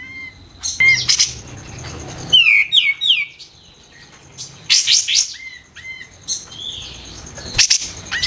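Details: Training song of a White-eared bulbul: bright, sharp whistled phrases in bursts with short pauses, some notes rising and others dropping, loud and piercing, over a steady high faint tone.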